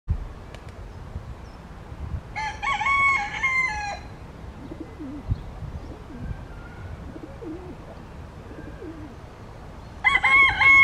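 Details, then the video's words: Yellow-legged gulls, two birds at the picnic area of Parque Marechal Carmona in Cascais, waiting for scraps of fries to drop; two bursts of harsh, ringing, harmonic calls, one near the start and one at the end, over low background murmur. "Gaivotas-de-patas-amarelas (Larus michahellis)"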